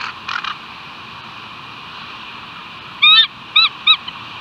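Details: Bald eagle at West End calling: a brief rough double burst, a pause, then a run of high, thin, harmonic-rich chirping notes, the first longest and the rest clipped and staccato, over a steady hiss.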